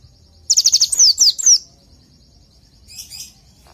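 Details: Masteran tutor song for pleci, the oriental white-eye: one quick phrase of high, sharp, downslurred whistles, five fast notes then three longer slurs, followed by a faint, softer chirp after a quiet gap.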